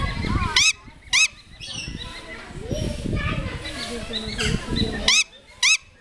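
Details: Great grey owl owlet screaming: four short, loud, rising screeches with bright harmonic bands, two near the start and two near the end, with people talking and chattering between them.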